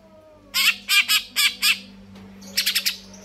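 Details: Greater green leafbird, known locally as cucak ijo, singing gacor: five loud rasping notes in a row, then a quieter rapid four-note trill, with a low hum behind.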